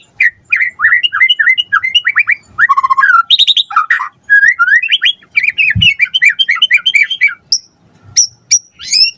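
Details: Full, energetic song of a white-rumped shama (murai batu), played as a lure for a fast reply: rapid series of repeated whistled slurs, fast trills and rattles, then a few isolated high sharp notes near the end.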